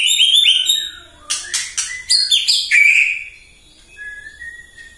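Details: Morning song of a white-rumped shama, played to agitate rival birds: bright whistles at the start, then a rapid run of sharp, clipped notes and a sliding whistled phrase that fades away.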